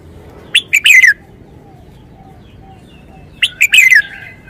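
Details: Cage-kept red-whiskered bulbul delivering phleng pa wild-style song: two loud phrases about three seconds apart, each three quick clipped notes then a descending slurred whistle, over a quiet background.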